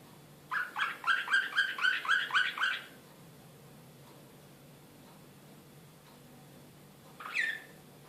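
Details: Serbian Slavujar canary, excited, recorded in Belgrade in 2016: a quick run of about eight evenly repeated chirping notes lasting two seconds, then quiet room hum, with one brief sweeping note near the end.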